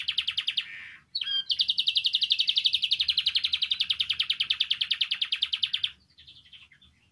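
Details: A singing Spanish timbrado canary, meant as a training model for young canaries, delivers a long, even rolling trill of about five seconds, framed by brief notes before and soft twitters after.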